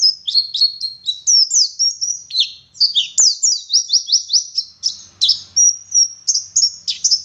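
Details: Oriental white-eye from West Java in full song: rapid high twittering, sharp downslurred whistles and a few longer level whistles run together, with a faint low hum near the end.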